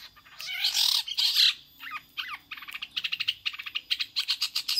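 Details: Long-tailed shrike singing in imitation of a prinia: harsh scratchy notes at first, then a quick run of sharp, bright, clipped chirps repeated in rapid bursts.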